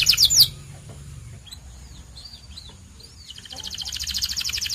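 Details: A white canary gives a brief bright burst, then scattered faint chirps follow before a rapid, even rattling trill starts and builds.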